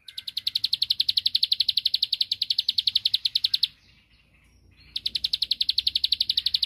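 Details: A bar-winged prinia delivers a long string of rapid, high, dry ticks, about four a second, to provoke a rival. The string pauses for about a second, then starts again at the same pace.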